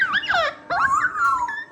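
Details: A pet cockatoo mimics a human greeting, saying "hi"/"hello" in reply to people greeting it: two quick, high, nasal word-like phrases, the second longer and drawn out with a falling end.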